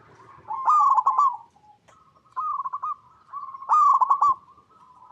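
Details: Local zebra dove (perkutut), a vigorously singing bird in its natural habitat, used as a lure to make other zebra doves answer; three stuttering, purring coo phrases, the first and last loudest, with brief soft notes between.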